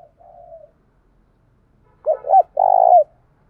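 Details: Spotted dove coo for stimulating a dove to call: a faint soft note first, then after a pause two quick rounded coos and a long rough descending coo.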